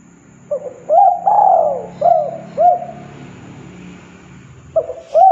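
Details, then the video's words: Spotted dove singing actively in a master recording meant for captive doves to copy: soft, hollow coos rising then falling, given in a quick run of about five notes with a pause, then two more, over a low background hum. "DENGAR SUARA TEKUKUR GACOR INI, MASTERAN JUARA 2022"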